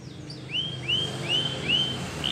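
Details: Canary song for training: four or five evenly spaced, rising whistled notes, thin and fairly faint above steady low background noise.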